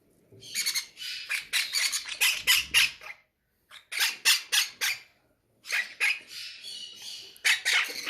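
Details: Greedy, hungry parrots kept by a breeder call out at feeding time. Loud grating squawks pour out in dense runs of about six to eight, break off briefly, then resume, recorded indoors.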